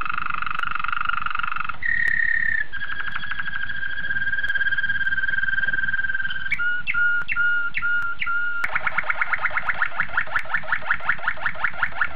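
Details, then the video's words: Young Malinois waterslager canaries from 2013 in song: long sustained, flute-like rolls shifting between pitches, a run of spaced clicking notes, then a rapid bubbling water-like trill. "Mes premiers jeunes malinois 2013"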